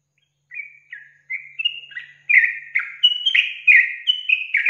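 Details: A yellow-vented bulbul gives a quick run of about a dozen bright, bubbly whistled notes, rising and falling in pitch, used as a lure call to provoke young wild-caught bulbuls into calling; no other sounds.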